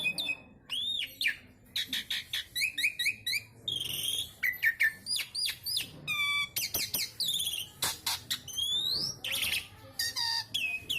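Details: A Javan pied starling sings its isian sekebon kacang repertoire, a rich, fast medley of rising and falling whistles, buzzy strokes and sharp chips packed into continuous varied phrases.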